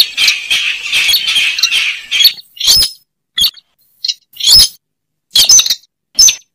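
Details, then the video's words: Slaty-breasted rail (weris) lure sound: about two seconds of rapid harsh squawking, then scattered single rasping bursts separated by silent gaps. "Suara pikat burung weris/Burung sintar semak"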